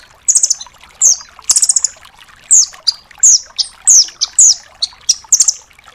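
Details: Velvet-fronted nuthatch in a Doraemon-style training song for cage songbirds. Sharp, very high chirps and short rattling trills follow one another at an even pace, each burst brief and bright, with no other sounds.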